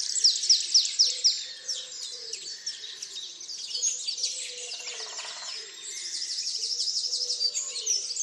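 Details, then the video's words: Early-morning birdsong recorded by the picnic table at Tophill Low nature reserve's main hide on 30 March 2019. Four sharp, loud high notes open over a busy chorus of chirps, with a brief rattle midway. "TopHill Low dawnchorus 30/03/2019"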